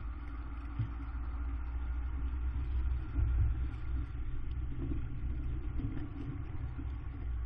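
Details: A steady engine rumble from an idling or passing vehicle, with no animal calls.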